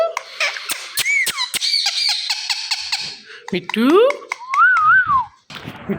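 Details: Indian ringneck parakeet talking indoors, producing squeaky, speech-like syllables with sliding pitch, a rising upward sweep, then a wavering warble near the end, broken by sharp clicks.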